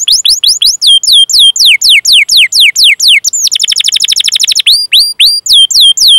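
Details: Canary training song to draw out singing in young or silent canaries: spaced sharp downward-sweeping whistles, a burst of very fast buzzy trill, then more slurred whistles.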